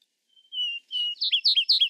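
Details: Vesper sparrow song opening with two long, steady whistled notes, followed by quick paired chirpy notes that break into a trilled phrase. The background is clean and quiet.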